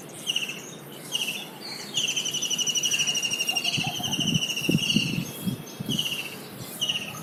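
A kingfisher gives shrill, high rattling trills, several long whinnying runs with a few sharp notes between, over low dull knocks and a faint insect hum.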